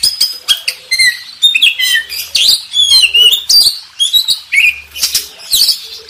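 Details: Champion contest Oriental magpie-robin master song: rapid scratchy chatter interwoven with brief clear whistles and buzzy trills in a busy, varied delivery.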